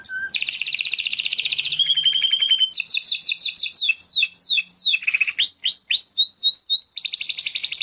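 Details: Canary in morning song, a varied sequence of rolling buzzy trills, a steady whistled tone, then series of sharp descending whistles and rising slurred notes, closing with another dense rolling trill.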